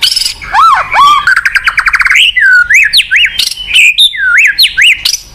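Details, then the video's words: Lively White-rumped shama song played to coax a silent shama into singing: descending whistles, a rapid rattling trill, then a series of arching whistled notes repeated about twice a second. "PANCINGAN BUAT MURAI MACET | WHITE RUMPED SHAMA SONG"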